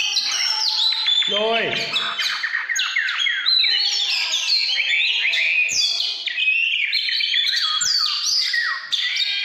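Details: Oriental magpie-robin singing in the 'căn lửa' style: a dense, unbroken run of rich, varied high whistles, slurred trills and chattering notes. A short, lower, descending harmonic whine sounds near the start.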